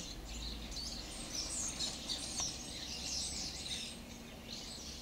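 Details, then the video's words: Starlings gathered in a kaki (persimmon) tree on 12/07/12, giving a busy stream of shrill, thin squeaks and short whistled notes, several per second, against a constant low hum of environmental noise. "Starlings on my kaki tree"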